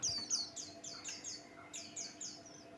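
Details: Pleci Buxtoni white-eye singing as a lure to provoke other birds: rapid run of sharp, high, falling notes, several per half-second, with a soft continuous electrical hum underneath.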